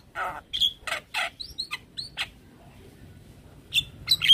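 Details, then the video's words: A stressed Javan myna responding to the calls of another Javan myna gives harsh, rasping bursts mixed with short high whistled notes, about six calls in quick succession, then a pause before more whistles. "Jalbo Stres Seketika respon dengar panggilan Jalak Kebo"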